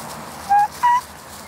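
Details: Black swan (Cygnus atratus) among pond birds giving two clean, bugling whistled notes, the second slightly higher and rising, each under a quarter second and close together, over quiet background noise.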